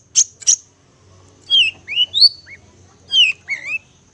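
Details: Long-tailed shrike (cendet) master song for hand-fed young birds: two sharp high clicks, then a sparse series of slurred, descending and rising whistled notes separated by short silences.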